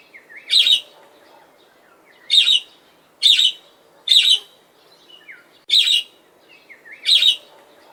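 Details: Budgerigar sitting on a swing gives bright, scratchy chirps in short bursts, separated by irregular pauses.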